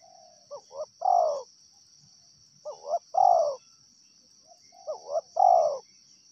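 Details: A wild spotted dove repeats its coo three times, about every two seconds: a pair of quick notes, then a louder drawn-out coo sliding lower. A constant high-pitched hum sounds behind it.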